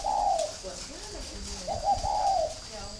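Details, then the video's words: Spotted dove from northern Vietnam, kept at a bird farm, cooing: two soft, slightly falling coos about 1.7 seconds apart, with faint lower murmuring and knocks between them. "chim cu gáy hay miền bắc"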